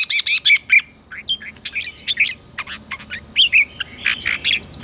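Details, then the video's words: Red-whiskered bulbul singing, used to train newly caught birds: dense, choppy sequence of sharp chirps and short warbled notes coming in quick uneven bursts, with a persistent thin high whine. "luyện cho chào mào bổi hót"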